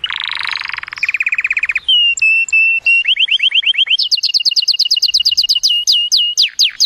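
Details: Canary song with an excited voice to stimulate the female for mating; buzzy rolls, a few ringing notes, a rising trill, then a long run of rapid high slurred whistles.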